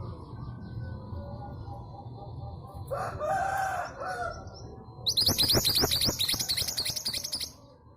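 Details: Local female long-tailed sibia from East Java, a lure to make silent males sing: a rooster-like crow sounds in the middle, followed by a loud run of rapid high scratchy chatter for about two and a half seconds.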